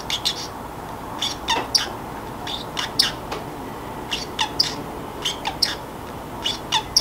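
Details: Pet Pacific parrotlet, free-roaming in a quiet room, muttering to itself as it grows sleepy: a steady stream of short, sharp chirps and squeaky syllables, several per second, with brief pauses between bursts and a faint steady hum underneath.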